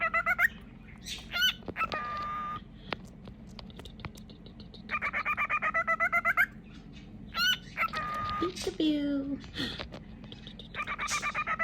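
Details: Pet cockatiel playing peekaboo, winding up before each peekaboo: harmonic chattering phrases, rapid repeated pulsed notes, sliding whistles and a descending squeal, with faint background music.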